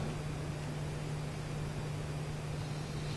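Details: Constant broadband noise over a low electrical hum, with no animal calls.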